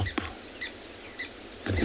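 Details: Blacksmith Lapwing heard in the background on a morning safari drive in a South African game reserve (Ngala or Phinda), 14 January 2021, giving short, sharp metallic 'tink' notes about every half second; a man's voice speaks at the end.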